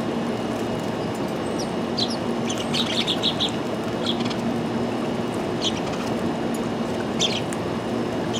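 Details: Sparrow calling with short, high chirps in scattered clusters, several quick notes near the second and third seconds and more toward the end, half buried in loud steady traffic-like rumble.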